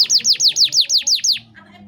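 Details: 'Gacor' canary with luxurious 'cengkok mewah' phrasing: eight evenly spaced, loud, high downslurred notes in quick succession, then silence.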